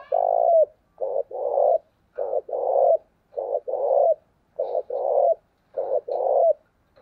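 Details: Decoy spotted dove calling to lure wild doves. Low, mellow cooing phrases repeat about every 1.3 seconds; each is a short coo followed by a longer one that ends with a downward slur. Quiet background.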